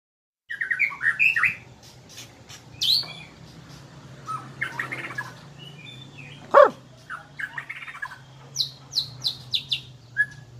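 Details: Murai batu of the Bahorok type in its natural song: varied whistled and chattering phrases, sliding notes and sharp clicks, then a series of rapid high descending chirps near the end, over a steady low hum.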